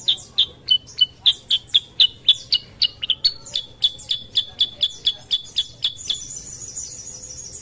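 Sooty-headed bulbul giving a steady run of sharp, bright chirps, about three each second, ending in a thin, high sustained trill.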